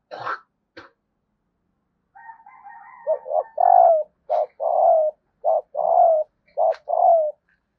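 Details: Female spotted dove calling repeatedly to stir males: after faint rustles and a soft hum, three rounds of mellow low coos, each a short note followed by a longer rolling coo, roughly every second.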